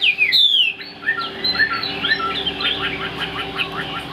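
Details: Caged Chinese hwamei, large-bodied with a fig-leaf-shaped tail, opens with a bright descending whistle, then breaks into a rapid series of short repeated chirps that grows into a fast, steady trill.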